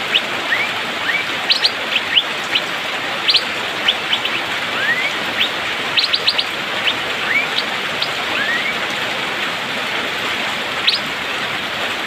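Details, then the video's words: Asian fairy-bluebird singing fast in the rainy season. Upward-gliding whistles alternate with clusters of sharp high chirps, the bursts thinning toward the end, over persistent rain hiss. "Cucak biru/pikpik,musim hujan auto gacor speed rapat"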